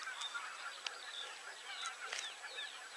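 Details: Common crane (żuraw) flock calling, a dense overlapping chorus of trumpeting, honking calls heard at a distance. Occasional sharper clicks or knocks punctuate the steady hiss of background noise.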